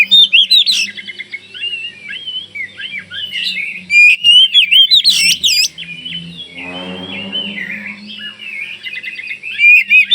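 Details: Kalimantan Oriental magpie-robin singing to make others reply, loud varied whistles, sliding warbles and sharp upsweeps, with a low buzzing hum beneath.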